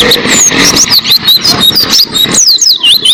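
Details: Oriental white-eye tutor song: high, thin whistled phrases and quick swooping notes heard against a dense hissing noise background.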